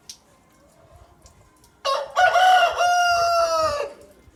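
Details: Rooster crowing once: after a quiet start, a loud harsh harmonic crow bursts in, wavers briefly, then holds a long level note for about two seconds before dropping away, with faint low background rumble.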